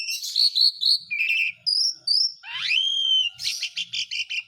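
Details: Lure song of the Asian pied starling for reviving silent birds: chattering whistles and buzzy notes, then a loud rising swoop into a long steady whistle, ending in a rapid rattling series.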